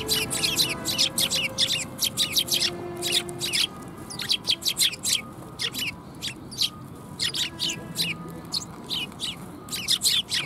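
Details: A flock of sparrows coming to be fed at a Tenmangu shrine on January 25 2021, chirping busily: rapid overlapping high cheeps in dense runs, nearly continuous, over a faint low hum.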